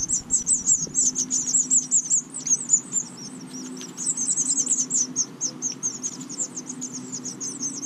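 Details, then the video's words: Five fuzzy young house finches beg in a nest on a porch in Watertown, New York, while both parents feed them. Thin, very high chirps come rapidly and almost continuously, over a steady low hum. "5 fuzzy little house finches being fed"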